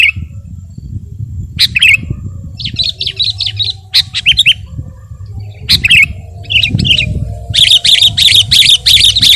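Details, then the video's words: Sooty-headed bulbul, singing actively, used as a training and lure song for other birds: bursts of quick, bright chattering notes, some separated by pauses, then a fast run of repeated squeaky notes near the end over a low rumble. "masteran dan pancingan suara burung KUTILANG GACOR"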